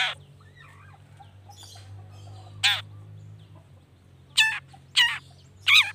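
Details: Long-tailed shrike sounds used as a lure to make other shrikes answer quickly: four harsh, rasping notes, each short and noisy with stacked tones, spaced irregularly over low steady hum.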